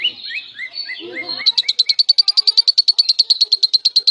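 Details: Lovebird in full semi-konslet song, used to tutor other lovebirds: several rising squeaky chirps with faint low chatter, then a rapid, steady high trill of repeated buzzy pulses to the end.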